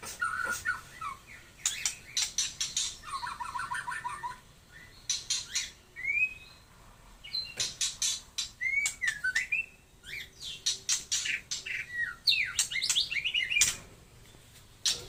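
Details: White-rumped shama of the Taiwan type singing: varied whistled phrases, a fast trill, rising and falling slurs, and bursts of sharp high chips between short pauses, over constant hiss.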